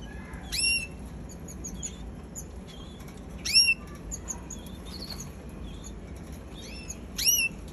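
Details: Young canary giving scattered high, sharp upswept chirps, some in quick pairs and a few louder bursts, over a constant low background rumble.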